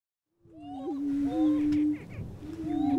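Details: Lesser prairie chickens booming in the Flint Hills of Kansas, males displaying and confronting each other to attract a hen; a steady low hooting moan holds for over a second, then resumes, with thin whistled and cackling notes above.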